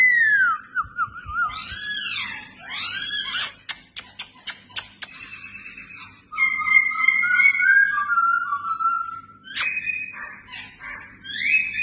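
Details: Red-whiskered bulbul kept for fighting competitions, singing during training: loud slurred whistles rising and falling, a burst of sharp rapid clicks, then a long wavering whistle with fluttering notes, over a faint indoor hum.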